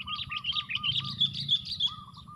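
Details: Fighting sooty-headed bulbuls, four against one, at a trapping lure: loud, rapid, scratchy chirps run together. Lower clipped notes repeat steadily beneath them over a faint low hum.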